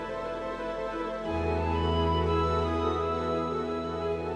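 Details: Soft, sustained instrumental music with a low droning bass; no animal calls are heard.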